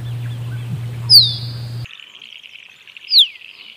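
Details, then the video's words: Short stretch with two high, downward-sliding whistles from a musk duck, the first preceded by a low thud, separated by an abrupt change in background hiss. "Musk Duck Sound"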